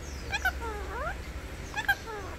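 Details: Talking Indian ringneck parakeet, trained to say "mikum" and "peekaboo", making two quick bursts of sweeping, harmonic speech-like syllables with sliding rising and falling tones.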